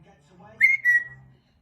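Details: A pet parrot in the morning, being coaxed to say good morning, gives a clear two-part whistle, a rising note then a level one, both high and pure, over a faint low murmur.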